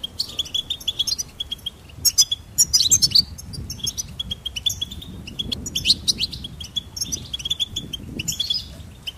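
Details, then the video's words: Goldfinch singing in short bursts of sharp, high chirps and twitters, with brief pauses between phrases. "Charming Goldfinch Peep"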